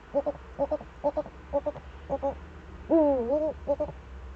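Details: Eurasian eagle-owl, Eifel, Germany, 4 February 2014: a steady series of short paired notes about every half second, then one long wavering call and a final short pair, over low constant rumble.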